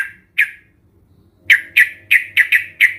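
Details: Sooty-headed bulbul sounds used to stimulate other birds to sing: loud, sharp, slurred chirps, two spaced apart, then a quick series of five more, over a faint low hum.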